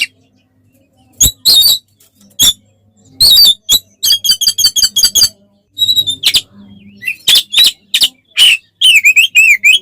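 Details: Oriental magpie-robin song in aggressive fighting style meant to provoke rival birds: rapid series of sharp, explosive notes and quick stuttering clicks, ending in wavering whistled phrases, loud throughout with short silent gaps and a faint low hum.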